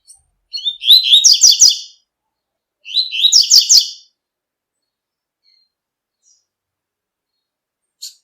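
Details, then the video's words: Double-collared seedeater singing tui-tui song in nature: two quick, high, rattling phrases of trilled notes close together, then quiet with a faint note at the end. "COLEIRO TUI TUI CANTANDO NA NATUREZA"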